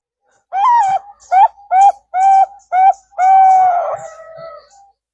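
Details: Trapping lure of zebra dove, Bangkok and local birds: five clipped, bright coo notes with slight upward inflection, ending in one long, sustained coo that fades out slowly.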